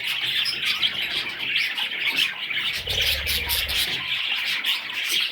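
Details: A crowd of budgerigar chicks squeaks and chatters nonstop in high, grating notes, with a low rustling rumble midway.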